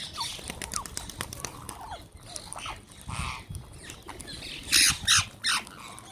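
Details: Several wild green parrots being fed chatter in quick, scratchy chirps, then burst into three loud, raspy screeches near the end, over light rustling.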